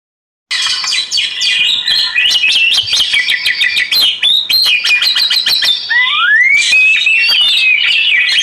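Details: Oriental magpie-robin song, presented alongside flowing water for relaxation: a dense, continuous stream of rapid sharp chirps and trills, then clear slurred whistles rising and falling over the last seconds, with crisp clicking notes scattered throughout.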